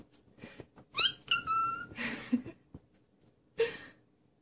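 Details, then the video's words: Pet cockatiel repeating "peekaboo": a sharp rising whistled note, then a long level whistle with stacked overtones, followed by harsh breathy bursts and a short chirp near the end, indoors. "Nymphensittich (cockatiel) - Peekaboo"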